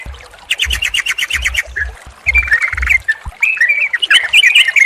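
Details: Yellow-vented bulbul combination song for stimulating a non-singing bird: rapid rattled chirps, then rising and falling bubbly whistled phrases, with low thudding sounds in the first half.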